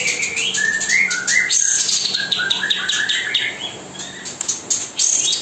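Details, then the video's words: A White-shouldered Triller, played nonstop day and night as a master song for hand-fed young birds, sings a busy run of bright whistled notes and quick rising trills, with a few thin high chirps. White-shouldered Triller. "kapas tembak gacor nonstop"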